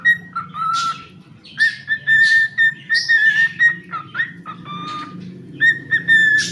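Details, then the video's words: Pet cockatiel singing indoors: a string of clear whistled notes, mostly steady level tones with some short dips and rising slurs, broken by brief pauses, over a constant low electrical hum. "The charming cockatiel Milo shares some delightful singing moments."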